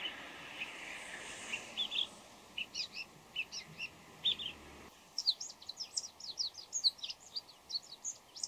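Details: Before dawn, a bull-headed shrike runs through varied voices and imitations: scattered short chattering notes, then a brisk burst of bright, closely packed chips and squeaks, with a constant low hiss of background noise.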